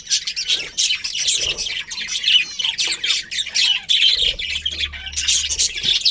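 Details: ['A budgerigar colony with a breeding pair produces steady high, squawky chatter and warbled chirps, with a low hum in the background late in the clip.']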